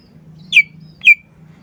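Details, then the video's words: Green leafbird giving two separate downward-sliding whistled notes about half a second apart, with a soft low hum behind. "CUCAK IJO GACOR"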